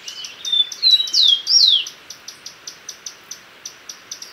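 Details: Common tody-flycatcher voice: a few thin whistled notes building into two strong downslurred sweeps, followed by a steady series of short high ticks about every quarter second.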